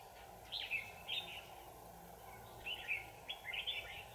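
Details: Red-whiskered bulbul at a trapping session, 25 November 2018: two clusters of bright, slurred whistled notes about two seconds apart, with a constant low background drone.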